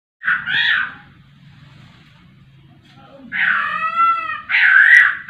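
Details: Laughingthrush, a very actively singing bird, giving loud harsh harmonic calls, a short burst then a longer ringing series of stacked notes about three seconds later, over a steady low hum.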